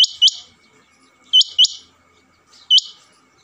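A male rain quail gives loud, sharp, metallic double notes, repeated about every one and a half seconds, over a faint steady hum.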